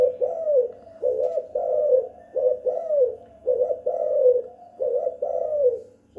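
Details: Spotted dove calling at home: soft, low cooing notes in a repeated phrased series, each coo slightly rising then falling, about eight coos across six seconds with short pauses between groups.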